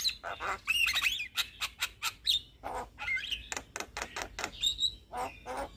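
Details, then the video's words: Javan myna, a young, vocal bird used as a song tutor and to stir other mynas; dense mix of squawky, harsh notes and short twisting whistles in quick succession. "Jalak Kebo Muda Gacor Untuk Masteran Dan Pancingan Semua Jenis Burung Jalak"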